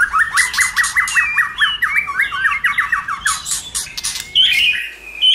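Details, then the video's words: Varied White-rumped shama song, used to push other shamas to sing: a rapid stuttering series of repeated chattering notes, then loud high bursts and a drawn-out whistled ending. "Kích Chòe lửa hót nhiều giọng"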